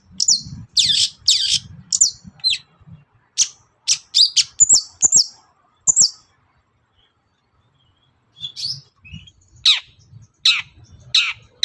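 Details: Long-tailed shrike in morning song, played to stir other birds to respond; scratchy chattering phrases and thin high notes come in spurts, separated by a silent gap of about two seconds.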